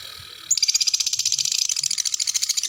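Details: Lovebird in ngekek style: after a brief hiss, a dense, high, buzzy trill bursts in and continues steadily with closely packed pulses for two seconds.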